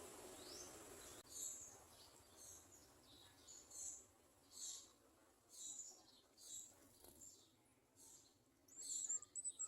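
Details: An olive-backed (garden) sunbird searching a small jar for insects to feed its young gives thin, very high chips about one a second, with a quick twittering burst at the end, over faint background hiss.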